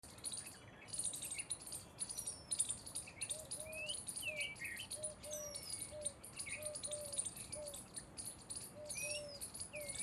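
Jungle babblers give scattered squeaky chirps and short rising and falling whistles. A low note repeats steadily beneath them, and a high insect hum runs throughout.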